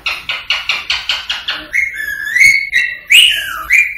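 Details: Rose-ringed parakeet giving a fast run of about eight harsh chattering notes, then loud wavering whistles that rise and fall; played to encourage singing and mating.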